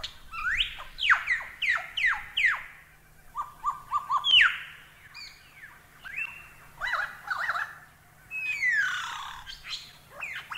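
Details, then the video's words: Lyrebird song used as a tutor recording for training cage birds: loud, varied phrases of sharply descending whistled notes, quick chirps and short buzzy bursts, with brief pauses between bouts. "Masteran Burung Lyrebird"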